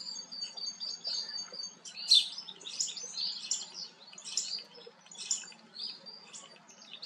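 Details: Starling song during preening, opening with thin steady high whistles, then bursts of squeaky chatter, clicks and short buzzy notes in scattered phrases.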